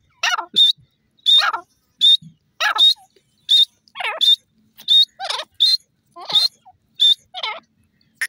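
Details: Francolin calling in a steady rhythm, each phrase a shrill high note paired with lower wavering tones, repeated about every two-thirds of a second.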